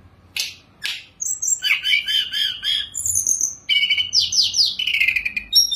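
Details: Sunda robin singing while sitting still on a cage perch, with rich fill-ins. Two sharp notes, then scratchy chatter, high whistles and a run of quick descending slurred notes.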